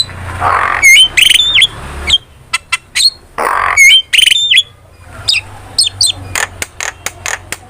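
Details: Starling song used as lure and master training sound: loud upslurred whistles, harsh rasping bursts and sharp clicks in fast irregular runs, with a faint low hum underneath.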